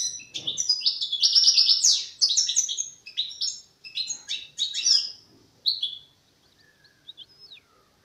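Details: Young European goldfinch in its song-forming stage: a busy run of high, tinkling twitters and buzzy notes for about six seconds, then softer scattered chirps trailing off to near silence.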